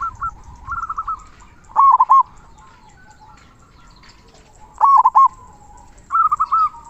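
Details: Singing local zebra dove, 'kung besar' style, recorded as a master for training other doves: bubbling coo phrases alternate with smoother rolling trills, about three phrases spread over seven seconds against quiet background.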